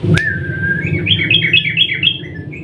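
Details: A long rolling song of a sooty-headed bulbul, used to provoke a silent bulbul. A smooth whistled note rises into a quick chain of bright, stepping chirps that trail off at the end. A click is heard at the start, and a low hum runs underneath.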